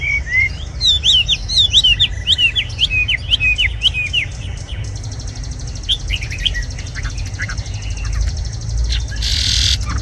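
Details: Tame red-whiskered bulbul in a cage delivers a rapid, tumbling string of sharp high chirps and whistles, then quieter notes, ending with a short burst of hissing noise.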